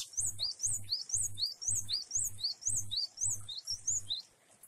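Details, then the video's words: Java sparrow singing in a varied style, recorded with rain: a run of high, thin chirps that each slide down, about two per second, over soft low thumps throughout. "Glatik wingko jueh variasi dan air hujan"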